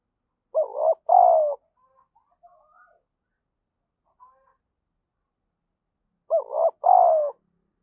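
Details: Spotted dove used as a decoy, cooing to stimulate and call in other doves; two loud coo phrases about six seconds apart, each a short wobbly note then a longer low hum that slowly falls, with quiet gaps between.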